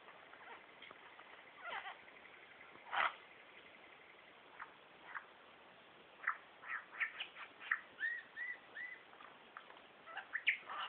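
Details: A male superb lyrebird behind bushes runs through his mimicry repertoire (including laser gun, kookaburra, whipbird, whistlers, magpies): a harsh burst, scattered chips, then quick whistled and slurred notes changing every half second or so.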